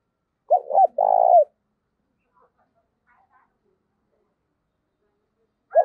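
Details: Spotted dove, a decoy bird used to lure wild doves, singing in the 'giọng thổ' style: two short low coos followed by a long, rolling, purring coo, then the next phrase starting.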